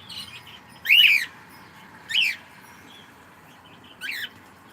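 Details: A cockatiel says good morning, delivering three arched, raspy harmonic notes, the first loudest and the later ones shorter and softer, spaced about a second apart against faint background hiss.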